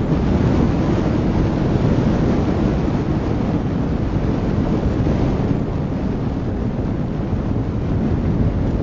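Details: Steady broadband roar of wind buffeting a microphone, with a low rumble like a passing vehicle and no animal voices.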